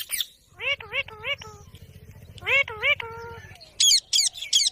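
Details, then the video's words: Ringneck parrot repeating short, wavering nasal chirps in quick groups of three or four, with a low hum underneath, ending in a few high, sharp screeches. "Parrot sound | Ringneck parrot"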